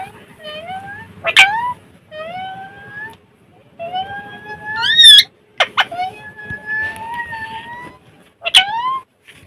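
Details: Pet Alexandrine parakeet producing drawn-out, rising, voice-like tones broken by sudden shrill squeaks, in phrases a few seconds apart.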